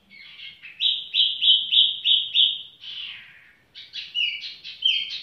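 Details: Leisurely song of a tiểu mi bird: a series of about six clear, evenly spaced whistled notes, a falling slur, then quick, varied chirping phrases.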